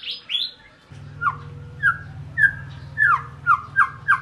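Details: White-rumped shama (Copsychus malabaricus) song: opening high whistles, then sharp downslurred notes about every half second over a steady low hum.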